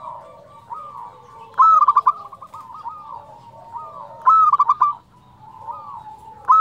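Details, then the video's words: Local perkutut, or zebra dove, with a fluting song meant to stimulate quiet or stressed doves. Two loud phrases each start with a rising slur and break into rapid clipped coos. Gentler rolling coos from other doves fill the gaps. "perkutut lokal gacor suara nyuling"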